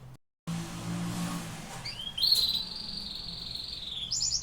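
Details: Canary song after a brief silence: a rising note leads into a long, even, buzzy trill that holds steady before a higher trill begins at the end. A low hum sits underneath.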